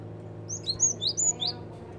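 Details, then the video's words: Java sparrow calls played as a lure for attracting birds: a quick run of five sharp, high chirps with bent, slurred notes over about one second, above a low background hum. "PANCINGAN BUNYI BURUNG GELATIK"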